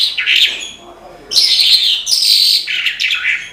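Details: Energetic song of a branjangan, or Australasian bush lark: a short high whistled phrase, a brief gap, then a long loud run of dense, buzzy twittering ending in lower slurred notes.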